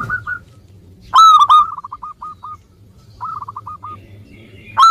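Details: Local zebra dove singing actively, used as a lure to prompt lazy birds to sing: soft runs of short hooked cooing notes, then two loud ringing coos followed by a trailing series of quick staccato notes, another loud coo at the end.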